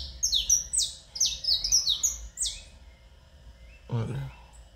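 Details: A domestic canary, described as a Belgian-type "canário do reino", sings a rapid run of bright, high, sweeping whistled notes for about three seconds, followed by a brief word from a man.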